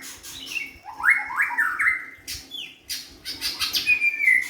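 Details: White-rumped shama song: clear whistled notes sweep upward and hold level, with several phrases in quick succession against a steady low hum and scattered chirps.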